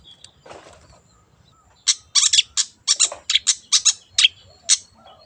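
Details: Wild long-tailed shrike in an excited series of rapid harsh, scratchy notes, about ten bursts packed into three seconds after a faint rustling start.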